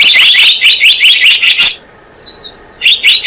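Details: Lure recording of a blue-eared kingfisher: a fast run of shrill, sharp notes, then a brief quiet gap with one thin descending whistle, before the rapid piercing notes resume.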